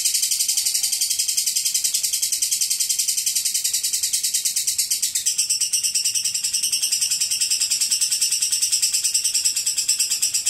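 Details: Extended ngekek chatter from a lovebird. An unbroken stream of fast, steady, high pulses lasts more than ten seconds, its tone changing slightly midway.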